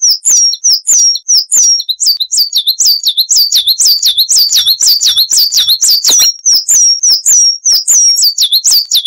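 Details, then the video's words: Coal tit song recorded as training material for cage birds: a long, nearly unbroken string of high, sharp, see-sawing two-note phrases, roughly one and a half per second. "Masteran Burung Gelatik Wucit Panjang Ngalas - Coal Tit"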